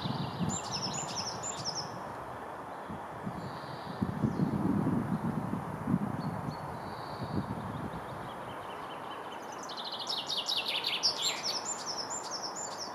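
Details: Common chaffinch singing at Kurkimäki, Helsinki, Finland, on 7 May 2021: a bright, descending series of repeated notes near the end, after a stretch of low rumbling traffic-like noise, with thin high whistles from other birds at the start.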